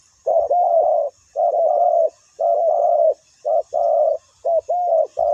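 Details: Spotted dove calling as a ground decoy for wild birds: long, overlapping hollow coos grouped in runs of two or three, with short pauses between the groups.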